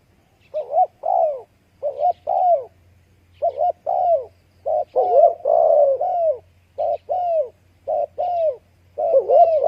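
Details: Spotted dove cooing repeatedly, paired soft notes in quick phrases, each note slightly arched and hollow, phrases spaced every second or so with brief pauses and no other sounds.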